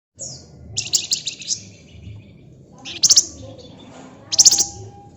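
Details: Flamboyan bird in energetic gacor song, described as ngebren rapat: dense bursts of high, buzzy, rattling notes, a long churring phrase early, then two short sharp trilled bursts later, over a low background hum.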